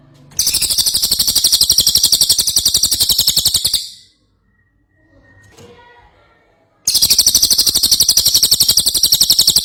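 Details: Ashy tailorbird in vigorous song, two long runs of fast, high, buzzy rattling notes, the first lasting over three seconds, with faint rustling in the pause between them.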